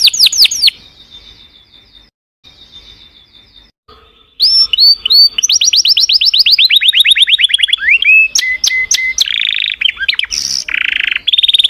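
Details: Singing canaries: a burst of falling notes fades into a faint, thin sustained tone, then loud song resumes with quick repeated slurred notes, steady whistles and harsher buzzy rolls.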